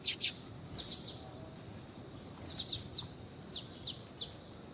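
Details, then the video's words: Female double-collared seedeater (coleiro tui tui) calling to warm up and stimulate a male to sing: two loud sharp high chirps at the start, then softer, scattered thin high notes over a faint background hiss. "ESQUENTAR QUALQUER COLEIRO FRIO COM FÊMEA DE COLEIRO CHAMANDO PARA ESQUENTAR COLEIRO TUI TUI"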